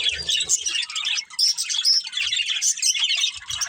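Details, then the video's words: Breeding pair of budgerigars with family, giving rapid high chirps and squeaky warbles, with a couple of clear rising whistled notes amid the chatter and faint low bumps. "Cute Budgies Chirping Sounds"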